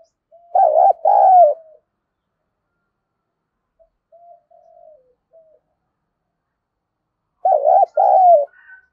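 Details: Fight-provoking coo of a spotted dove used to attract wild doves: two loud phrases roughly seven seconds apart, each a wavering note plus a longer downslurred coo, with faint soft notes in the gap.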